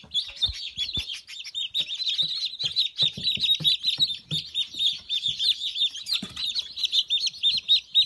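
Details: Newly hatched Dark Brahma chicks, recorded 4 March 2018, give a steady chorus of high, shrill peeps from many birds, overlapping almost without pause, with a few soft low thumps and clucks beneath.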